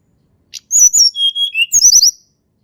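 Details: Blood-breasted flowerpecker, natural sound used as a lure for reluctant singers: a short chip, then high whistles dropping in pitch, finished by a cluster of sharp, very high chirps and trills.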